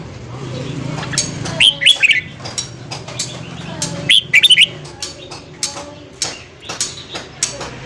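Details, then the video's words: Red-whiskered bulbul singing at morning, a recording meant to spur wild-caught bulbuls into song: two short bursts of bright whistled notes about two and a half seconds apart, over steady low hum and clicking noises. "luyện giọng chào mào hót sáng kích lửa cho chào mào bổi"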